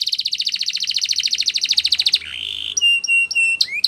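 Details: Training song of a Spanish Timbrado canary: a fast even rattle of clipped notes for two seconds, then a held pure whistle, followed by spaced bright chips and a quick upward flick.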